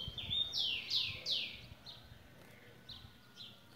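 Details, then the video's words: {'caption': 'Tui giving a whistle followed by three broad falling sweeps, then softer repeated echoes of the same notes. Steady background hiss is present throughout.'} "tui tui de luxo"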